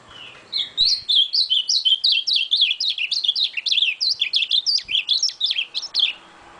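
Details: Ultramarine grosbeak singing a long, fast run of high, slurred chirping notes, about four per second, each bending up and down, sustained for roughly five seconds with a near-silent background.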